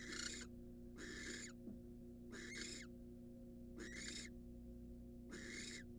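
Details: Nest-box barn owl, wild and incubating eggs after devouring a mouse: five coarse, breathy screeching hisses, each near half a second, spaced about a second and a half apart, steady hum in the background.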